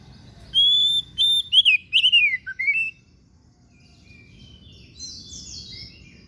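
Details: Kacer daput oriental magpie-robin song of bright whistled phrases: a sustained pure note, then rapid twisting slurs dropping to a lower note, followed by quieter high chatter from other birds over soft background noise.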